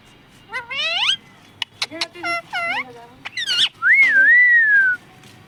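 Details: Talking parrot known for saying mummy papa. It gives a run of rising, rasping, voice-like syllables and several short clicks, then ends on a long, clear, slightly wavering whistle that slides gently downward.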